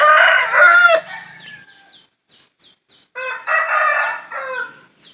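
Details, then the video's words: Two loud rooster crows separated by a pause of about two seconds, each harsh and drawn out, with faint chirping small birds in the background. "Ayam Jantan Berkokok | Suara Ayam berkokok"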